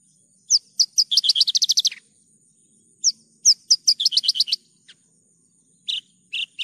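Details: Clear recording of a Javan bush lark singing for bird-training purposes: sharp rising chips leading into fast even trills of about a dozen notes, repeated twice, then a few lower rough notes.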